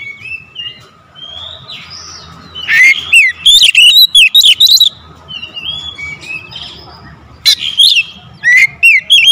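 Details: Magpie-robin song for luring, first soft drawn whistles, then sudden loud rapid bursts of sweet rising and falling whistles mixed with sharp metallic clicks, repeated in close succession over a faint background hum.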